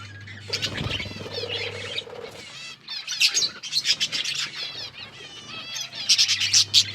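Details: Australian parrots, pet budgies, chirping while eating; bright warbled phrases and quick high chirp series rise and fall, separated by quieter moments, with a low thump and background hum.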